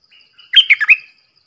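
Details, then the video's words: Red-whiskered bulbul, with a soft thin whistle before a loud, cheery run of four quick liquid notes, bubbling and rising at the end. "เสียงนกดอกแตงEp.105 Birds sounds"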